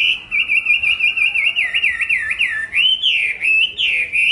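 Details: A Hwamei delivers a steady series of looping, slurred whistles, each note repeated quickly before the phrase shifts higher into stronger, sweeping notes.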